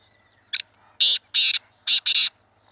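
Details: Black francolin giving rasping, scratchy notes: a short lead-in note, then two paired bursts in a clipped rhythm, loud and dry against a quiet background.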